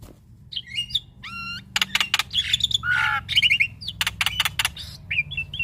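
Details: Varied, busy song from a male Black-winged Starling, used as a master recording to stimulate other starlings: mixed whistles, harsh clicks and a lower nasal squawk, packed closely with little pause.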